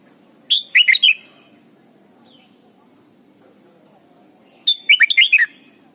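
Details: Thai red-whiskered bulbul singing for young birds to learn: two rapid, chattering phrases of five or six slurred whistles each, about four seconds apart, with a quiet low background murmur between them.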